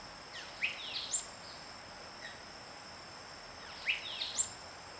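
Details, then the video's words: A spot-crowned euphonia gives two short bursts of high, thin, sweeping notes about three seconds apart, over a steady shrill insect drone. "La Eufonia Coronipinta nature birds sounds"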